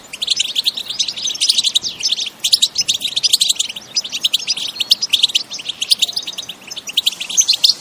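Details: European goldfinch singing an energetic 'bitbita' style song, recorded in nature without added effects: a dense, continuous high twittering of rapid chirps and trills, with louder bursts every second or so throughout.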